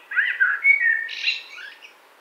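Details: Warbling common blackbird in spring woodland, 2017: a quick run of mellow whistles sliding into a higher, rougher trill that fades out.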